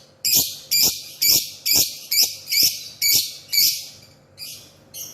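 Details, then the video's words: Lovebird singing in the morning, giving a steady string of harsh, buzzy high chirps, each about a quarter second long, repeated roughly twice a second with short pauses between. "Ocehan love bird pagi hari"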